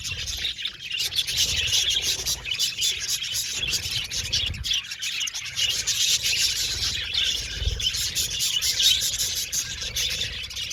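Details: Budgerigar colony in an aviary keeps up a long, steady chattering of high chirps and warbled twitters, with a low rumble throughout.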